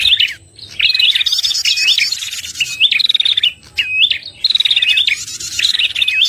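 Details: {'t': 'Red-headed prinia lure calls used to attract birds to traps: repeated bursts of shrill chirps ending in buzzy trills, about six phrases with brief gaps.'}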